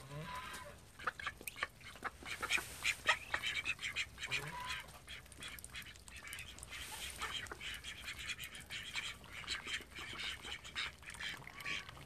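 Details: Call ducks from a flock of thirteen kept at home: a dense run of short, raspy, high quacks overlapping one another, coming in busy bursts throughout with few pauses.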